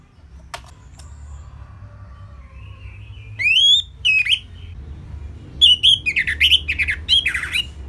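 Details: A captive orange-headed thrush (Geokichla citrina) sings a simple song meant as an easy-to-copy tutor song: loud, varied whistled phrases with harsh squawky notes, in short bursts with brief pauses, over a low indoor hum.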